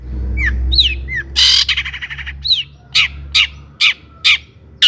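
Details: Long-tailed shrike singing to provoke rival shrikes into song: varied whistled slurs, some rising, some dropping, mixed with a rough rasping burst, then a series of short, harsh, scratchy notes spaced about half a second apart.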